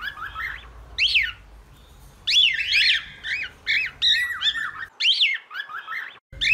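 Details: Cockatiel singing: harsh, squawky whistled notes, each rising then falling, in uneven bursts with short pauses, indoors with low background hum.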